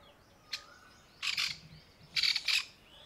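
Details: Grey francolin hen, sitting camouflaged among dry summer leaves in the heat with newborn chicks gathered around her, gives two harsh, raspy alarm bursts about a second apart after a brief click.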